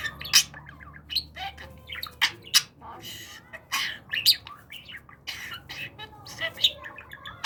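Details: Pet budgerigar talking during a training session: rapid chattering warble of sharp clicks, short buzzy notes and squeaky whistled fragments, with loud bright ticks every second or so against quiet indoor background.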